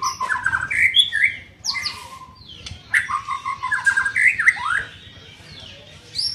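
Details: Young white-rumped shama in training: looping whistled phrases that slide up and down around the middle range, mixed with sharp high flicks and brief gaps between phrases.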